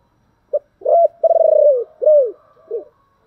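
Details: Calling spotted dove in the thổ style: short low note, arched coo, a long vibrating coo that falls away, then a rounded coo and a softer closing note.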